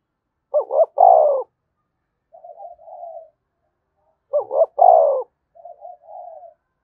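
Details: Two spotted dove coo phrases about four seconds apart, used to stimulate other doves to coo: each has two quick hoots and a longer, louder coo, followed by faint low muttering.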